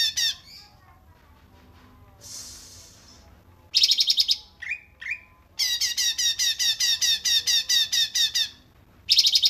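A cungkok gives loud, harsh, chattering phrases of rapid buzzy notes, repeated about twice a second with brief pauses. Some softer squeaks come between the bursts.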